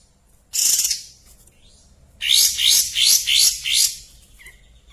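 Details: White-shouldered triller (kapas tembak) in breeding condition, singing actively with its tail spread. A sudden high buzzy burst is followed after a pause by four quick rapid trilled phrases, each one rising and falling, in a quiet background.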